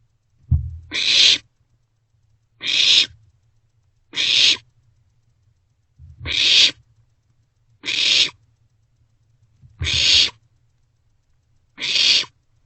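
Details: Barn owl chicks in an owl box at night, sharing a vole and passing it back and forth; seven broad rasping hisses, each under half a second, repeated every one to two seconds, with soft low thumps and rustles between.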